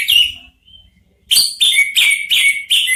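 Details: Orange-headed thrushes, three birds, answer one another in song. A quick whistled note is followed, after a pause, by five loud, evenly spaced, repeated chirping phrases about a quarter second apart.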